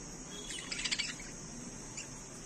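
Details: Budgerigars feeding each other: a quick burst of high, scratchy twittering lasting about half a second, then one faint chirp, over a steady background hiss.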